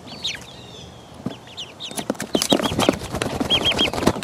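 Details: Four-week-old chickens pecking around: a flock of chicks gives thin, high, downward-slurred peeps in quick irregular runs. Sharp pecking taps and knocks grow busier in the second half.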